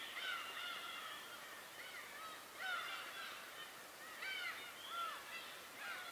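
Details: Birds on Tobishima island giving harmonic, arching calls between about one and four thousand cycles, grouped in bursts roughly every one to two seconds over a steady background hiss.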